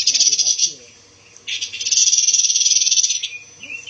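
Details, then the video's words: Pancawarna bird, described as a now rare songbird, recorded as song material for training white-rumped shamas: shrill, high, rapid buzzy trills in two long bursts separated by a pause, with a quiet voice talking beneath. "SUARA BURUNG PANCAWARNA"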